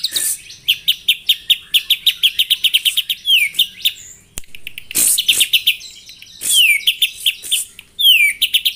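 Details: Morning song of a white-rumped shama used to provoke rivals: quick series of clear high notes, several downward-sweeping whistles, brief gap, then renewed bursts of varied chirps.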